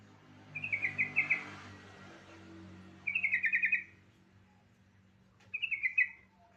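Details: Yellow-vented bulbul song used to prompt other bulbuls into singing: three rapid, bubbly chortled phrases, roughly every two and a half seconds, above a constant low droning hum.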